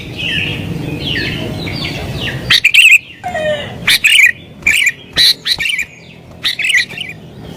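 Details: Sooty-headed bulbul in excited, rival-challenging song for luring wild bulbuls. Soft wavering whistles give way to a run of loud, clipped, chortling notes repeated roughly every half second.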